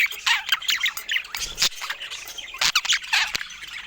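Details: Budgerigars eating fruit make bursts of raspy chirps and scratchy warbles broken by short gaps and several sharp clicks, with a few birds calling together.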